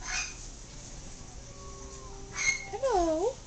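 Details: Yellow-naped amazon, newly adopted, talking a little: faint steady whistled tones, a hissy burst, then a loud bending harmonic phrase that dips and rises at the end, over low room hum.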